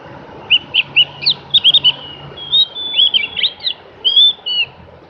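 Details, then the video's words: Javan grey-throated white-eye singing a varied string of high sweet notes, first a series of separate whistled chips, then a longer tumbling warble with slurred rising and falling notes. "kicoan merdu burung Opior jawa atau cak gentong"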